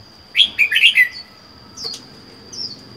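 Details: Wild-caught red-whiskered bulbul, caged for four months and housed alone. A short burst of bright chirpy notes is followed by two faint later notes, over a steady high electronic whine.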